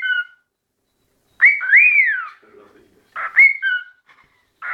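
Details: Pet cockatiel singing in front of a mirror: clear whistled phrases, with rising and falling notes broken by short buzzy bursts.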